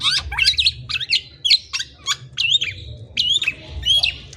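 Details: Black-naped oriole giving short bursts of sharp, slurred whistles and harsh squawky notes, about two phrases per second, separated by brief gaps, over a soft low hum.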